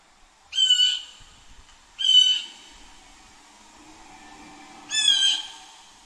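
Blue jay giving three harsh, raspy jeer calls, each about half a second long, spaced unevenly over six seconds against a quiet background.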